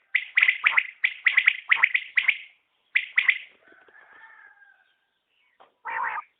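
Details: Common quail delivering a steady string of sharp three-note phrases, followed by a faint drawn-out lower tone and one final rough note.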